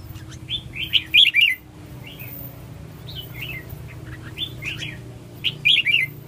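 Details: Red-whiskered bulbul singing short, bright warbled phrases in quick bursts of three to four notes, spaced by brief pauses, over a steady low hum.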